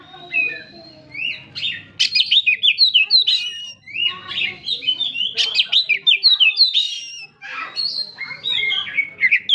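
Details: A magpie-robin ('kacer') singing vigorously, used to excite a bird that has stopped singing: fast bursts of sharp chipping whistles, about three notes a second, in repeated rushing phrases separated by short gaps.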